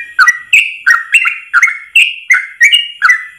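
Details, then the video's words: Rapid 'ropel' song of a Yellow-vented bulbul in one long breath, a model song for training caged birds: a steady stream of clear, chirpy whistled phrases, some rising and some falling, nearly three per second. "Masteran trucukan terbaik ropel 1 nafas panjang"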